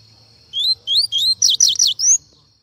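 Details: A captive double-collared seedeater (coleiro) sings a quick run of about six bright, sweeping whistled notes, rising and falling, over a faint low hum.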